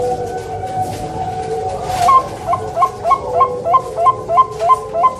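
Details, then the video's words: Zebra dove of the Bangkok type, kept at a bird farm in Surabaya, Indonesia, delivers a steady string of about ten clipped, rolling coos at an even beat. Many other caged doves coo throughout behind it. "PERKUTUT BANGKOK SUARA FULL POWER"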